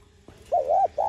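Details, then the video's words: Brief, mellow spotted dove coo in the 'gọi + thúc' style for stimulating decoy birds: a wavering drawn-out note followed by the start of another steady coo. "Tiếng cu gáy [ Gọi + Thúc ] KÈM BỔI Kích Bổi Nhanh Nổi/Cu Đất Gáy Giọng Hạp Bổi Kích Mồi Tập Bổi"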